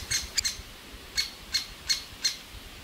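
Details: Young great spotted woodpeckers in a nest hole in a large old aspen, begging loudly for food as the parent pair feeds them: six sharp, high, scratchy chirps in under three seconds, slightly uneven spacing, quiet background.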